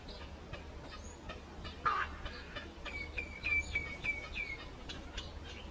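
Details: Mynas singing to each other: a harsh, grating note, then a run of clear whistled notes repeated about every half second, over steady background noise.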